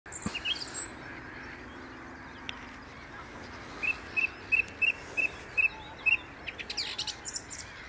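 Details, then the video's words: Song thrush singing from the top of a tree by the Inn River: after a faint start, a run of about eight short, bright notes repeats quickly at an even pitch, followed by softer scattered chirps. "Wonderfull song thrush singing beautiful on top of a tree"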